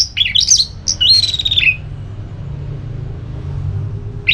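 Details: An orange-headed thrush sings ngeplong song, intended to provoke a reply: a warbling phrase ending in a long, wavering whistled note, then silence before another phrase starts.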